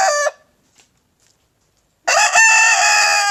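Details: Crowing Leghorn rooster, the end of one crow, a silent gap, then a loud, harsh, sustained crow starting abruptly.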